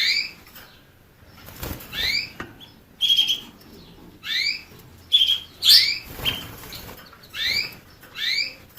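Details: Canary giving short rising chirps, each with a bright doubled tone, in loose bursts of two or three with pauses between, plus a few sharper flat notes; faint rustling and knocks in the background.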